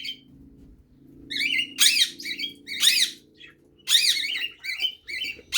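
A male cockatiel sings a series of bright, warbling whistles and squeaky chirps in bursts.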